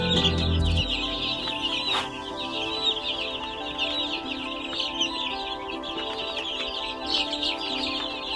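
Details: Around one hundred baby chicks chirping together as a crowd, a dense, constant wash of high, short peeps overlapping without pause, with a low musical tone at the very start.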